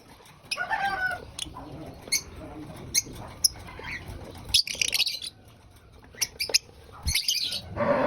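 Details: Lovebird eating breakfast, with scattered sharp clicks and soft murmurs broken by two harsh, high screechy bursts and a final louder squawk.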